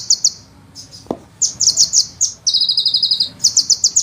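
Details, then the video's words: Rapid high sunbird song: scattered sharp chips and a single faint click, then a long rolling run of quick, evenly spaced piercing notes, about four notes a second in places, ending in chattered bursts. "suara penghisap madu ngeroll nembak panjang"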